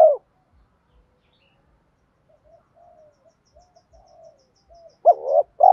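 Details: Spotted dove decoy bird giving a 'thúc dút' style call, used daily to train newly caught birds and lure others. Loud, low cooing bursts at the start and end frame a run of faint, soft coos in between; otherwise quiet.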